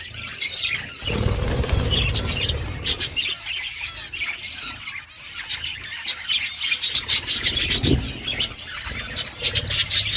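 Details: Wild budgerigars kept in an outdoor aviary, a flock chattering in a dense wash of high, rapid chirps and squawks, with low rumbling handling or wind noise underneath.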